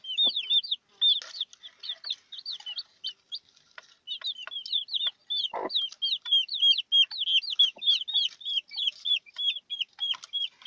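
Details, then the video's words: Newly hatched chicks with their broody hen give a dense, continuous stream of high, bent peeps, several birds overlapping, with an occasional deeper cluck from the hen and light tapping. "Pollitos recién nacidos con su gallina"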